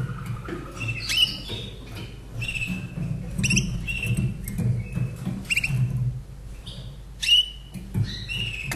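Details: Caged Slavujar canary from 2011, kept in Austria, singing a short song: sharp whistled notes and rising sweeps, several with quick downslurs, separated by brief pauses over a steady low room hum.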